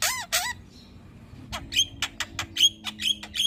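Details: Caged Javan myna singing, recorded as master material to spur other birds: two loud bent whistles open, then a pause and a run of sharp clicks and high squeaky notes about one per second.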